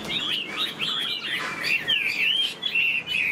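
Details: Captive Chinese hwamei, tail spread and wings flicking, gives a rich warbling song of swooping, slurred whistles in connected phrases, rising to longer sweet notes near the end.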